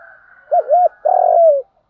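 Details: One spotted dove coo phrase from a lure compilation for training birds: a short bent double note followed by a long, throaty, gently falling coo, over a faint steady hum.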